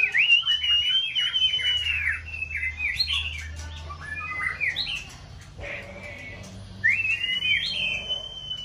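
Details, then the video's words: Competition white-rumped shama in breeding season, puffed up and displaying, sings a long level whistle that breaks into tumbling chirps. After a short pause a lower double note comes, then a rising whistle held steady. A low hum runs underneath. "Kích chòe lửa bông hót đa diện"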